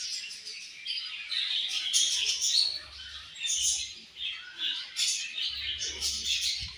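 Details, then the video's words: Colony of pet budgerigars chattering at morning feeding time: dense, continuous high chirps and warbles overlapping throughout, with louder bursts around two and five seconds and faint low rumbling beneath. "Budgies Morning Food And Chirping Sounds"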